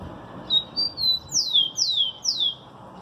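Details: Rufous-collared sparrow singing: two short high whistles, then three loud, clear down-slurred whistles in quick succession over a steady low background hum.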